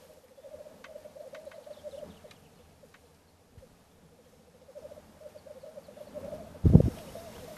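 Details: Black grouse rookooing at a lek on a wet mire complex north of Stockholm, Sweden, in mid April, recorded from a hide: steady low dove-like bubbling for several seconds, a pause, then more, ending in a sudden loud thump.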